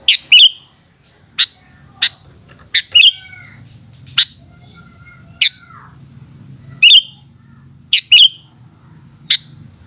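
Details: Sooty-headed bulbul singing in the afternoon: bubbly, whistled phrases and sharp chirps repeated every second or so over ten seconds, with faint thin whistles from other birds and a low hum.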